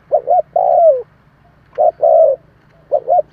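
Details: Two full spotted dove phrases and the start of a third, played to get newly caught doves calling. Each phrase has two clipped hoots and a sustained falling coo. A steady low hum runs underneath.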